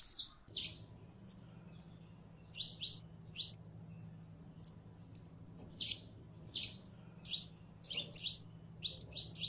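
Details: A female canary in heat calls to a male to mate, giving a steady series of sharp, falling chirps mixed with short high whistles across nine seconds, over a constant low hum.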